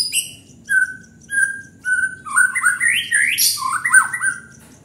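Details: White-rumped shama singing energetically: clear whistled notes held briefly at a steady pitch, then rising into a rich, fast run of swooping and warbling phrases at varied pitches, loud and close.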